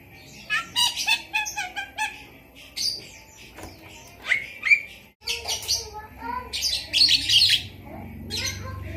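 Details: Javan myna singing with mimicked lovebird phrases: bursts of high, sharp chirps and squawky notes in uneven clusters, with short rising whistles between them and brief quiet gaps.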